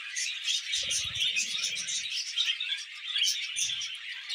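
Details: A flock of pet budgies warble while eating vegetables, a continuous stream of high chirpy chatter and trills, joined by low crunching or pecking sounds around one to two seconds and again near three and a half.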